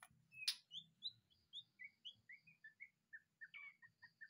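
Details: White-rumped shama kept in a cage, just out of the breeding enclosure, delivering a quiet series of short whistled notes, each stepping downward in pitch, over a low steady background hum.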